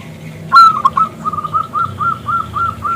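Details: Zebra dove, local bird, calling to get a male singing; one loud sharp rising note followed by a steady run of about eight soft, evenly spaced coos.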